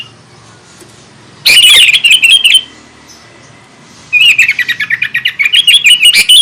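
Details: Vocal sooty-headed bulbul singing to anger rival bulbuls: a loud burst of squeaky chirps, a quiet pause, then a long, rapidly repeated chattering series.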